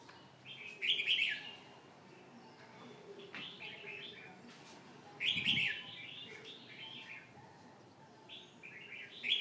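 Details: Red-whiskered bulbul singing bursts of lively, chirpy, warbling notes, with three main bouts a few seconds apart. Loud clicks and rustling noises sound alongside.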